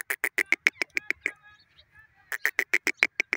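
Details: Teetar, the grey francolin, giving rapid runs of loud, harsh, clipped notes at about four per second, broken by a brief quieter gap with faint tonal notes before the hammering series resumes.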